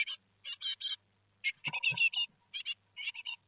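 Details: Great tit calls at a nest as four chicks fledge, 17 July 2020, Théding: high, harsh, buzzy chirps in quick clusters of two to four, about every half second, with a couple of soft knocks midway.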